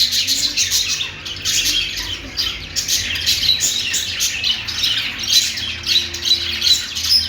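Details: Budgies singing in an unbroken run of scratchy chirps and squeaky warbles that rise and fall in short bursts.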